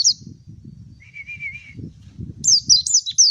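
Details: A mountain white-eye gives a brief high slurred note, a sustained wavering whistle lower in pitch, then a burst of rapid high twittering over steady low rumbling background noise.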